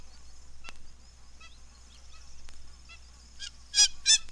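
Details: Hamerkop calling, first a single bird and then several in chorus: faint, high nasal yelps in a quick irregular series, then two or three loud, harsh, strident squawks at the end.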